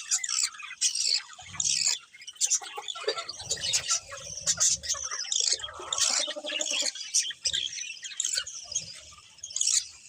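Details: Colourful budgerigars chattering together: busy high warbling and rapid chirps in uneven bursts, with scratchy squeaks layered over one another and faint low thumps beneath.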